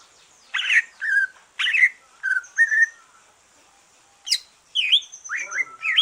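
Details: Green leafbird, a caged bird just finished moulting, singing a relaxed song used to stimulate other leafbirds to sing: short bright whistled and chirping phrases, some rising, some warbled, in bursts with brief pauses, becoming busier toward the end.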